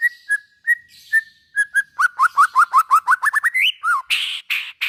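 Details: White-rumped shama song intended to stimulate other shamas: spaced whistled notes, then a fast even string of rising whistles, ending in harsh rasping calls.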